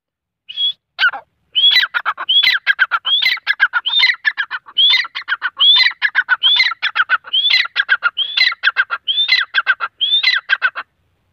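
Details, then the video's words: A grey francolin (teeter) calls loudly and rhythmically, repeating a high whistled note followed by a quick harsh rattle about once a second throughout. "Teeter ki awaz // Grey francolin calling"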